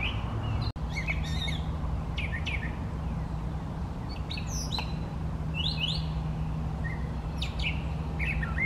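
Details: Singing male brown thrasher during a fifteen-minute bout, giving a varied string of sharp chips, downslurred whistles and rising sweeps separated by short pauses, with a brief click early on and a continuous low hum behind.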